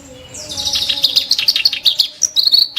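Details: Ashy tailorbird song: a high whistle leads into a harsh, dense chatter of rapid notes, ending with a short trilled flourish; faint steady tones beneath.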